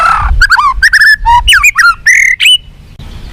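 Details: Song of a white-rumped shama, used to make captive birds responsive and fighting: a quick burst of varied whistled notes, slurs and harsh chatters, ending in a drawn-out whistle.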